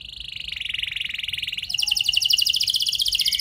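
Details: Canary singing a long-phrased, richly varied lure song to make other canaries answer. A smooth, low trill that swells in volume, shifting into a higher, faster rolling trill of crisp repeated notes.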